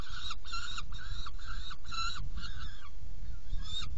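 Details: Nest box feeding of saker falcon on 17 June 2018, 10:31: a regular run of loud, harsh, nasal calls about twice a second, fading after three seconds, over low background rumble.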